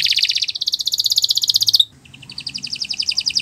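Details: Canary singing as a training model for other birds: a dense, rapid high trill that rises slightly, breaks off abruptly, then resumes as a quieter, evenly pulsed high rattle.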